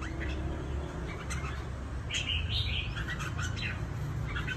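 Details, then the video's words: Trapped fighting red-whiskered bulbuls in Cao Bằng, Vietnam: a couple of soft notes, then warbled whistled phrases around two seconds in and a further short run of notes, against a strong low hum. "CHÀO MÀO BẪY ĐẤU VIP CAO BẰNG"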